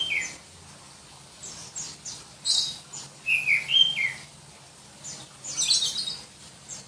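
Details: Black-breasted Oriental magpie-robin from Berau, East Kalimantan, a kind prized by songbird-contest keepers for its shrill, densely delivered song. Varied whistled and slurred phrases, some high and piercing, come in short bursts separated by brief pauses over faint background hiss.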